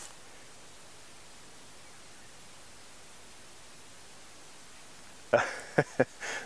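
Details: Quiet steady hiss lasts for five seconds, then a few sharp knocks and handling bumps occur near the end, with no animal call.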